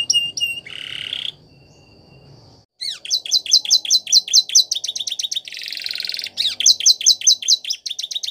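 A Belgian canary sings a fast, high run of repeated chirps and rolling trills, broken by a brief buzzy burst and a short pause.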